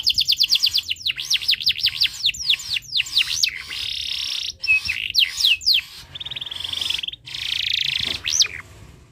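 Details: Canary in breeding condition, singing continuously to make other birds sing: fast trills of repeated downswept notes, buzzy rolls and sharp up-slurred whistles alternating in quick phrases, loud and high-pitched.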